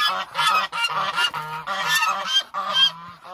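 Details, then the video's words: Close, loud calls from a hungry flock of roughly 1000 Muscovy ducks, rapid bursts of harsh, reedy honks following one another in quick succession. "1000 Hungry Muscovy Ducks"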